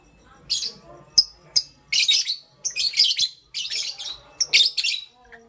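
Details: Pastel gray and green lovebirds kept as pets, calling in the morning: dense clusters of shrill, harsh high chirps in rapid bursts of about half a second, nearly continuous through the middle, with brief pauses.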